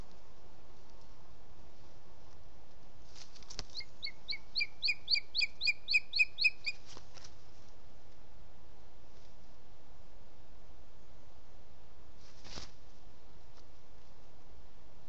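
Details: Booted eagle chicks in Ports Natural Park, 16 July 2017 at 20:11, an older female and a male two days younger, playing with a pine cone in their nest tree: a series of about ten sharp, high notes that grow louder, amid steady background hiss.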